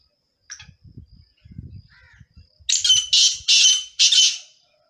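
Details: A male black francolin (black partridge) sings a loud, harsh, grating phrase of four rasping notes in quick succession, after soft low thumps and rustling.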